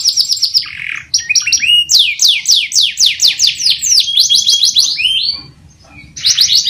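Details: Canary in long, vigorous song meant to set other canaries singing. Rapid trills and cascades of steep down-slurred notes run almost nonstop, with one brief silence just before the last burst.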